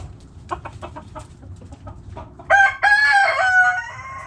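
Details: Backyard hens give a series of short clucks about three per second, then a rooster breaks in with a loud harmonic crow in two long held segments.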